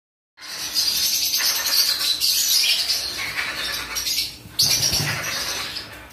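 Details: A hand-fed baby Military Macaw (Ara militaris) begging for food gives a harsh, raspy, continuous begging noise, rising and falling in loudness with brief breaks between bursts.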